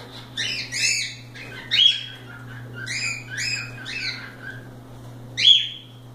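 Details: Loose pet cockatiels playing and having fun indoors utter rapid series of bright, harmonic chirps and short whistled notes, some sliding downward, in clustered bursts over a steady low hum.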